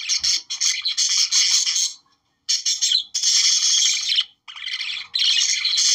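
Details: Australian budgerigars warbling to trigger breeding: rapid, gritty chatter in three or four long phrases split by clear silent pauses, the texture buzzy and busy throughout.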